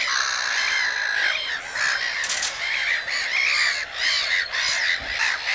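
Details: A loud chorus of common cranes gives continuous harsh, bugling notes in rhythmic waves. A brief hiss is heard near the two-second mark.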